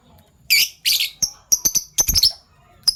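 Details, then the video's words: Fischer's lovebirds, a PB Violet and a Euwing Gold Opaline, in the morning: sharp, high chirps, two longer harsh bursts followed by a quick run of short clipped tweets. "Lovebird Chirping Sounds - PB Violet Fischer & Euwing Gold Opaline Fischer"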